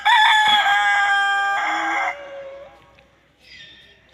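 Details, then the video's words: Aseel and Desi rooster crowing: a rooster gives one loud, rich crow lasting about two seconds, trailing off into a lower drawn-out note, followed by a faint, brief call. "Aseel VS Desi Rooster Crowing Sound Effect | murga ka sound | Rooster Singing"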